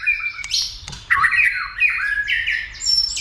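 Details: Fired-up white-rumped shama trained to sing a lot before fighting; scratchy high notes and clicks, then a run of slurred, descending whistled phrases ending on a thin high note.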